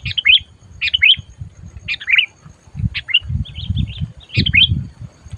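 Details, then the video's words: Sooty-headed bulbul calling while taken out for lure trapping, loud and fierce: bright, chirpy two- to three-note phrases with quick rising and falling whistles, repeated roughly every second, over a low rumbling background of handling or wind noise. "ATAS SI SUARA BURUNG MACIT DISAAt DIBAWA MIkat"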